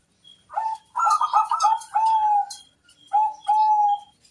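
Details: Local zebra dove in full song, meant to lure other doves into answering: a stuttering run of quick coos ending in a long, level, drawn-out note, then a shorter coo and another sustained note.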